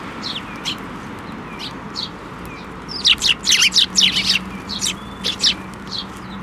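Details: Sparrows at a Tenmangu shrine landing on a hand to be fed, 7 May 2024; scattered high chirps, then a dense run of about ten loud rapid chirps mid-clip, with a low hum beneath.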